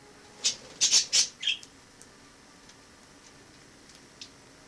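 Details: Wild sparrow kept as a household member indoors after entering via a balcony in autumn; a quick burst of four or five bright, high chirps in under a second, the last one lower, then quiet room tone.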